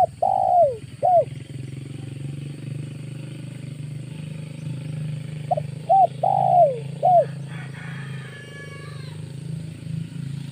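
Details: Spotted dove lure call used in August for trapping wild doves; two groups of hoarse, arching coos in short-long-short phrases, with a steady low engine-like hum underneath.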